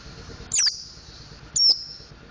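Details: Learning mountain white-eye (pleci montanus) working on ngriwik and ngeplong song: two thin, high falling whistles a second apart, the second trailing into a level tone, with soft background noise.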